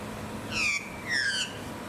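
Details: Blue-faced honeyeater (Entomyzon cyanotis) on the Sunshine Coast, Queensland, in February 2020, gives two loud, slightly falling whistled notes about half a second apart, over a faint low hum.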